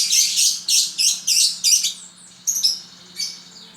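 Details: Pet lovebird singing a run of five loud, rapid, buzzy chattering bursts, each about a third of a second long, followed by softer thin high chirps.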